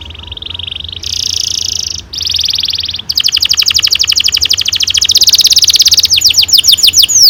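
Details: Long-rolling canary song meant to stimulate young canaries to sing: a steady buzzy trill that shifts up in pitch in steps, then a fast pulsed roll and finally sharp descending whistled notes.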